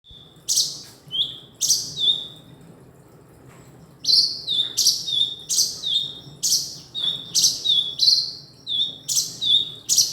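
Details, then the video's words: Male kinoi giving loud, repeated notes, each a sharp downward sweep ending in a short steady whistle. Two come singly, then after a pause they run on steadily about twice a second. "burung kinoi jantan"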